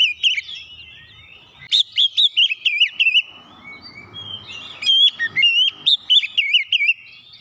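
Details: Oriental magpie-robin delivering fast song to fire up a lazy bird. Rapid rolling whistles and wobbling notes in two bursts, split by a stretch of soft hissy background noise.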